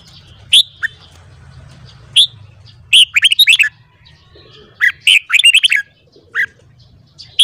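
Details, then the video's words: Red-whiskered bulbul singing in the morning for voice training. Sharp single chirps come first, then two fast phrases of bright, bubbling notes rising and dipping, over steady low background hum. "Luyện giọng chào mào hót sáng .kích giọng chào mào hót hay"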